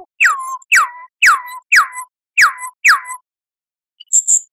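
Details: Lyrebird song made for cage birds to learn: six clear whistles, each sliding steeply downward and levelling off, repeated about every half second, then a faint high twitter.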